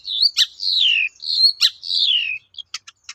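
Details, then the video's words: Long-tailed shrike song as a lure for other shrikes: long whistled notes sliding steadily downward, broken by sharp harsh clicks, ending with a few short dry ticks. "BANYAK CENDET NYAUT MENDENGAR SUARA BURUNG CENDET GACOR INI"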